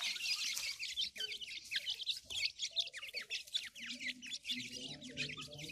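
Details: Grey francolin chicks calling while being fed: a dense, continuous chorus of thin, high, rapid chirps and short rising peeps from many young birds, with faint lower clucking notes toward the end.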